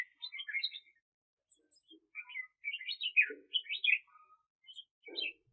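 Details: Decoy red-whiskered bulbul used for bird trapping in 2021, singing a run of lively warbled notes in short rapid phrases, several loud clusters in succession with brief gaps and a faint low thump.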